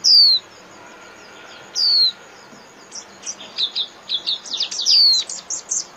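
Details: Japanese white-eye líu song, played to train caged birds: clear, loud high whistles falling in pitch, repeated about every two seconds, with quicker twittering notes filling the later seconds.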